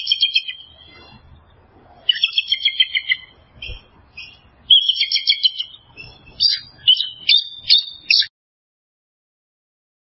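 An eagle gives high, thin chittering calls in quick bursts of piping notes.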